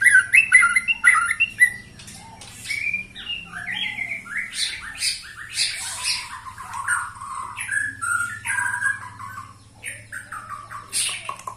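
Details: White-rumped shama, a bird 21 years old, still singing vigorously: varied phrases of clear whistles sliding down, mixed with harsher squawky notes and high ticks, loud at first then softer, over a steady low hum.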